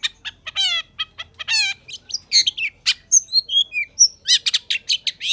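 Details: Long-tailed shrike, a lively bird singing energetically, used as a tutor for lazy shrikes: dense bursts of harsh chattering notes, stacked buzzy harmonic calls, and scattered sharp whistles and chips.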